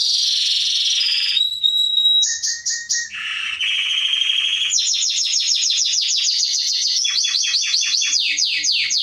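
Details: Atlantic canary singing, a training recording for young birds: rolling trills at changing pitches, a clear high whistle, then dozens of fast falling sweeps in quick succession.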